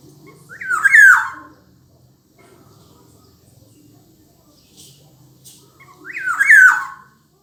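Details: Kepodang, the black-naped oriole, delivering two loud mellow whistled phrases roughly five seconds apart, each swooping up and down, over faint low murmuring and soft background noise in the gap.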